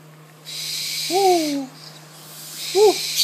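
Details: A captive, hand-raised Spectacled owl chick (Spix's screech owl per the source) begs for food with a drawn-out, downward-sliding whistle, then a short arched note a second later, over a steady background hiss.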